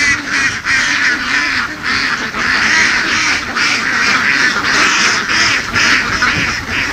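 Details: Flock of laying ducks roaming harvested fields in western Vietnam; constant chattering quacks from many birds, raspy and dense, rising and falling in rapid irregular bursts.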